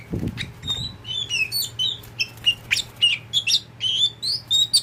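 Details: Tame caged kacer poci, an oriental magpie-robin kept as a pet: a lively run of varied whistled and chattering notes, quick high phrases following one another almost without pause, over a faint steady low hum and a few soft thumps at the start.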